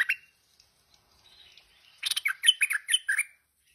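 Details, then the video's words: Tame stripe-throated bulbul in full song: a short opening note, faint twitters, then a quick run of bubbly, warbling chatter notes lasting over a second. "Merbah Lekir Gacor Jinak"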